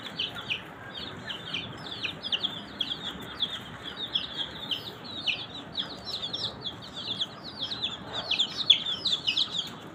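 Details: Many young chicks of a desi chicken flock, kept warm under care, chirp continuously: dense high peeping notes, rapid and overlapping throughout, with a faint background hiss.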